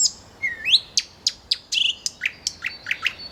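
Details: Nightingale singing a varied phrase: a rising whistle, then a series of sharp, separated high notes and short downslurred chips about three per second, in a quiet setting.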